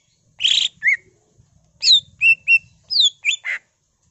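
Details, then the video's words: Greater green leafbird in lively mimicry-filled song: a raspy burst, then varied bright whistles, some falling and some rising, delivered in quick irregular phrases. "CUCAK IJO GACOR BONGKAR ISIAN NGENTROK PANCINGAN CUCAK IJO GACOR FULL ISIAN"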